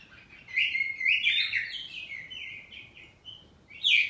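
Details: Oriental magpie-robin of kacer poci type, kept at home, in loud ngeplong answering song: sweeping whistled notes rise and fall in a quick run, thinning to short whistles, then a bright final note.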